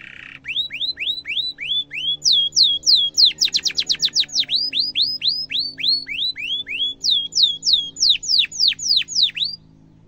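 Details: Canary singing a long 'cuit cuit' song for training young birds: a series of clear, downslurred whistled notes repeated about three per second, with a brief rapid rattle midway and more whistles near the end.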